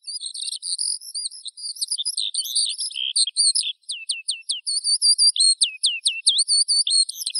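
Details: Eurasian skylark singing a fast, continuous high-pitched stream of chirps and warbles, with runs of sharp downward-slurred notes and short trills in its second half.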